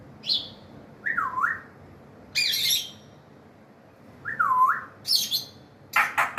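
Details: African grey parrot alternating harsh, noisy squawks with two clear whistled notes that dip and rise in pitch, ending in a burst of rapid rasping calls, in a quiet room.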